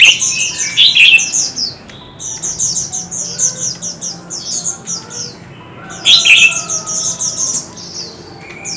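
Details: Shama singing in a competitive duel; two short, loud bursts of rich warbled whistles stand out about five seconds apart over a steady background of faint, high, rhythmically repeated chirps.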